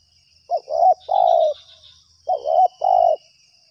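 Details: Lured spotted dove calling vigorously during trapping: two full three-note coo phrases about two seconds apart, each a short note, a wavering coo and a long steady final coo, with faint insect-like buzzing high above.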